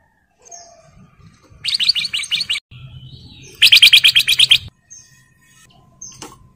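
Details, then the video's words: Breeding male black-crested bulbul calling to a female, giving two fast bursts of about six harsh, chattering notes each, separated by a pause. A low hum and a few faint chirps sound in between. "KUTLANG EMAS GACOR MEMANGGIL BETINA"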